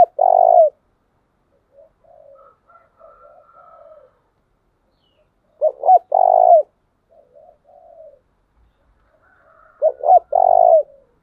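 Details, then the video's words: Spotted dove, a decoy bird, gives loud, low cooing phrases about every five seconds, each a stuttered start then a long mellow coo, with softer quieter coos between. Spotted dove. "tiếng chìm cu gáy mồi thúc bổi"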